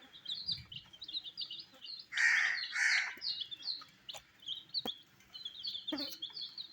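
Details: Dyed baby chicks feeding on wheat grains: a steady patter of thin, high, falling peeps, with two louder harsh bursts midway and a few sharp clicks.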